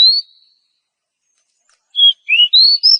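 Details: Female oriental magpie-robin in breeding condition calling to a male: one high whistled note, a pause of over a second, then a rapid run of four sweet whistles that dip and rise in pitch.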